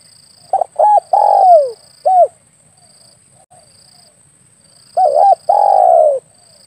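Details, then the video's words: Lure call of a spotted dove for hunting: two-part coo phrases with a long downslurred note and an extra short coo after the first phrase, repeated about four seconds apart; faint steady high hiss. "SUARA PIKAT BURUNG TEKUKUR/DERKUKU"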